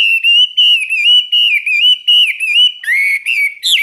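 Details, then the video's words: Caged Chinese hwamei in a daily 15-minute morning singing session: long, loud, fairly level whistled notes, repeated with short pauses, ending with a higher upward-slurred whistle. "Luyện hót cho họa mi mỗi ngày 15 phút vào buổi sáng đối với chim chơi giàn cứng"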